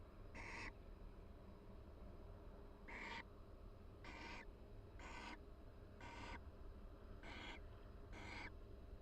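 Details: Barn owl pair in a nest box at the University of Florida, calling quietly while chatting and preening each other during the breeding season; short raspy hissing notes spaced irregularly every one to two seconds over low steady background hum.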